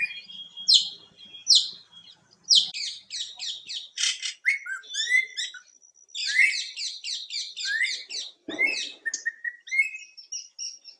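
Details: Greater racket-tailed drongo, an Asian bird able to produce many sounds and mimic others: fast sequence of metallic chirps, whistles and harsh buzzy notes, with a low thump partway through.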